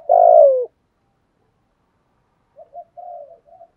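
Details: Spotted dove giving 'thúc gù' and 'gáy gọi' cooing meant to make wild doves coo back. One loud, hoarse, slightly falling coo opens the clip, then a pause and a few soft, low murmured notes.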